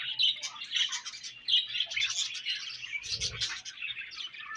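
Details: Several budgies eating their favourite food give a busy, high scratchy chatter of quick chirps and warbles, nearly continuous, with a soft low knock around the third second.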